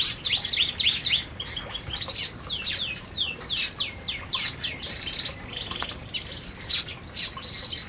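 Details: Several canaries eating in an aviary make busy overlapping twittering. Rapid high downslurred chirps and short whistles continue without a break.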